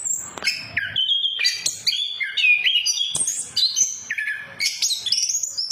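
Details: Lure recording of orange-headed thrush song meant to prompt silent birds to sing; varied whistled and chattering phrases jump between low and high notes, some clear rising whistles, continuous and energetic.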